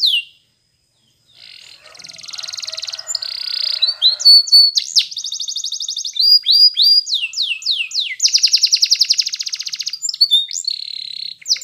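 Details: After a brief pause, a yellow Spanish Timbrado canary delivers a long training song of buzzing rolls, sharp falling chips and fast even trills, growing louder toward the end.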